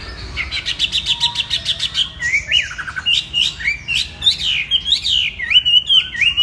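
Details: Rapid trill of evenly spaced notes gives way to looping, swooping whistled phrases as a Chinese hwamei sings energetically.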